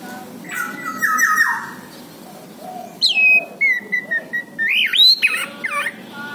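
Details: Orange-headed thrush recording used to make a bird that has stopped singing respond: a falling whistle, a pause, then clear descending and rising whistled notes with some sharp clicks.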